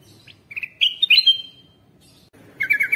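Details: Bulbul call used as a lure to draw wild birds closer: a short rising chirp, then sharp whistled notes sliding upward, a pause, and a fast buzzy chatter of chirps at the end.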